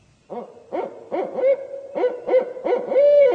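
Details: Two barred owls calling at night, a pair revving up territorial calls, possibly in response to another pair, give a rapid run of wavering hooting notes around three per second, some drawn into rising-falling wails; barred owl.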